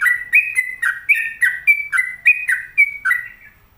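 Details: Sooty-headed bulbul, a home-kept bird, singing a fast run of bright whistled notes, each a quick rising-falling slur, about a dozen repeated in close succession before trailing off.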